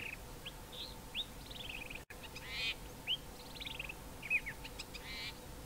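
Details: Male common fiscal on Mountain Drive, Grahamstown, singing and mimicking fynbos birds such as wailing cisticola and Cape grassbird; varied short whistled slurs and buzzy bursts, separated by brief pauses, over faint background hiss.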